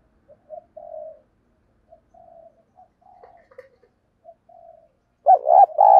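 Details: Decoy spotted dove cooing to attract wild birds. Quiet, scattered low coos give way to a sudden loud pair of hollow coo notes at the end.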